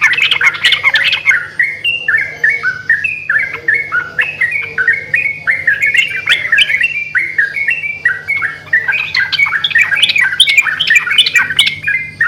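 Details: A long stretch of yellow-vented bulbuls singing in reply to each other: continuous overlapping chatter of short liquid notes, dense at the start and again near the end, with a steady background hum.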